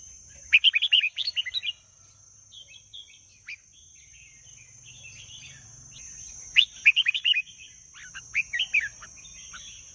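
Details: Red-whiskered bulbul delivering a fast string of bright chirped whistles, a pause of soft scattered notes, then another loud rapid phrase and closing warbles, accompanied by a constant faint high whine.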